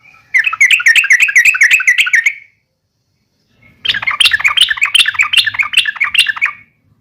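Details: Uplik tarung fighting sound of a yellow-vented bulbul, used to make other bulbuls respond aggressively. Two rapid chattering bursts of about two seconds each, bubbly repeated notes separated by a clear silent gap.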